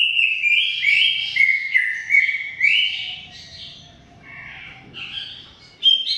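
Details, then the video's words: Greater green leafbird singing a long, lively 'gacor' song: a rapid run of bright slurred whistles that step up and down, with scratchy chattering notes mixed in and no break between phrases. "Suara Kicau CUCAK IJO Gacor Panjang Khusus Untuk Cucak IJO Yang mogok NGOCEH"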